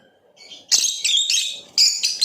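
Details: A Blue Opaline lovebird gives a quick run of loud, buzzy high chirps in close succession after a short quiet start, the calls rough and shrill.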